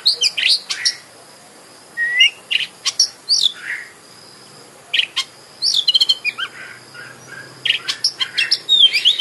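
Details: Oriental magpie-robin (kacer) pouring out a lure song meant to stir another bird into eager singing and tail display; varied loud whistles, buzzy slurs and clipped chirps in bursts separated by brief pauses.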